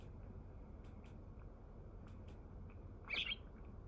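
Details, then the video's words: A single sharp, bright chirp from a wild Eurasian tree sparrow visiting on 27 March, following a few faint clicks against a low, even rumble. "3月27日のすずめ・Today's sparrow"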